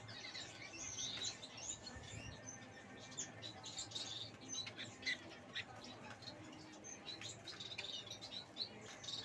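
Long-tailed finches keep up a busy stream of thin, high chirps and short twittering notes, several birds calling over one another with soft rustling behind.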